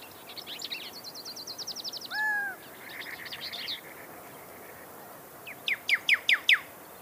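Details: Pyrrhuloxia (desert cardinal, Cardinalis sinuatus) of the American southwest and northern Mexico sings: after a fast high trill and a buzzy chatter, a closing run of five sharp, clear downslurred whistles about three a second.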